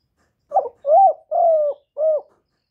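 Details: Spotted dove calling and cooing, a Vietnamese "gọi, thúc, gù" sequence: a short rough note, then three smooth, hollow, mid-pitched coos. The middle coo is longest and slightly falling. The background is silent.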